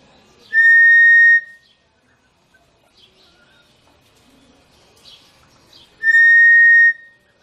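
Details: Cinereous tinamou call used for attracting the bird: two identical flat, pure whistles about a second long, spaced roughly five seconds apart, with faint soft rustles and clicks between them.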